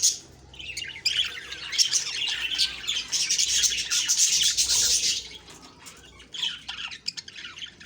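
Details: Budgerigars in the morning, October 2, 2023, chattering in a rapid burst of high, scratchy twitters that swells in the middle and then thins to scattered chirps.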